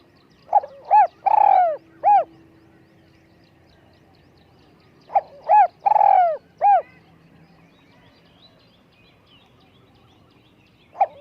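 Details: High-voiced decoy spotted dove repeating its cooing phrase: two full four-note phrases about five seconds apart, each with a long falling central coo, and the first note of a third phrase at the end.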